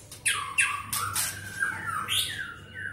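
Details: Caged White-rumped shama of the Medan type, trained for the 2019 Presiden Cup contest, its fast song filled with mimicked cililin, canary and lovebird phrases: harsh squawky bursts sliding down into thin whistled notes, with a low hum underneath.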